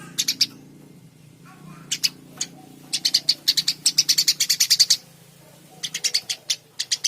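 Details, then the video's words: Eurasian tree sparrow (Passer montanus) singing vigorously, with sharp, high chirps in quick runs of several per second broken by short pauses, over a faint low hum. "Burung gereja gacor"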